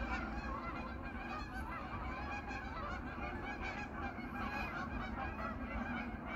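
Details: A large flock of wild geese returning to a pond on an autumn evening, several hundred birds gathering to winter there; dense overlapping honks and nasal calls pour out continuously, a steady chattering din with no pauses.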